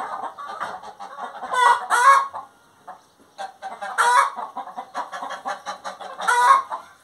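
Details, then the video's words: Hen in song: three loud harsh cackle bursts, with strings of short clucks in between and a brief quiet pause midway. "Galinha Cantando"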